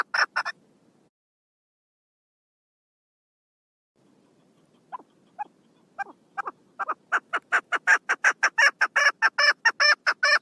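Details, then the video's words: Recorded 1 June 2022, a female chukar partridge gives a few harsh notes, falls silent, then resumes with faint spaced clucks that accelerate into a loud, rapid, grating chuckle series. "Female chakor best voike"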